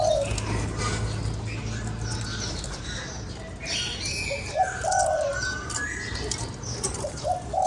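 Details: Spotted dove cooing to stimulate a lure bird, two low mellow coo phrases in the second half against a noisy rural background with scattered higher chirps and faint wing sounds.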